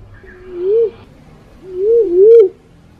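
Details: Black-naped fruit dove (Ptilinopus melanospilus) giving low, soft hoots that rise and fall, one single then a double hoot a second later, used as a lure call; no other clear sounds.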